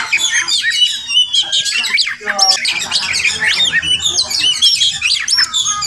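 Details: Oriental magpie-robin, a wild village bird heard each morning near a house; dense, busy stream of squawky chatter mixed with quick rising and falling whistles, some notes stacked in fast rattling series.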